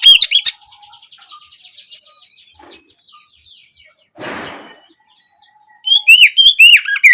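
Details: Late-afternoon ngeplong lure of an Oriental magpie-robin: a short loud whistle at the start, a long stretch of faint rapid ticking and a rustling noise, then a final run of clear, rising and falling whistles.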